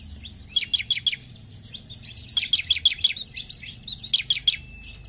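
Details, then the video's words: Bar-winged prinia (ciblek) singing: three quick bursts of about four sharp, high chirps each, spaced roughly two seconds apart, with soft twittering between and a quiet low background hum. "Ciblek Gacor"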